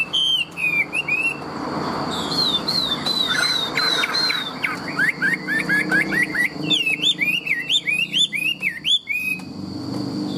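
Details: Large tame Chinese hwamei singing strongly: rapid whistled trills, then a string of repeated upslurred notes, then a burst of loud, twisting, varied whistles with short gaps between them, over faint background rumble.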